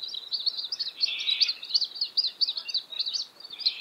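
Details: Juvenile Australasian grebe at Littlehampton, South Australia, 13 October 2020, begging with a steady stream of high, thin peeping notes, several per second, while the adult catches yabbies and feeds it; faint background hiss.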